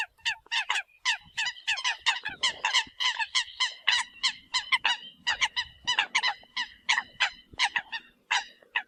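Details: Eurasian coot decoy calling: a dense run of short, harsh, nasal honks repeated quickly and unevenly, several notes overlapping as if from more than one bird, with a faint low hum underneath.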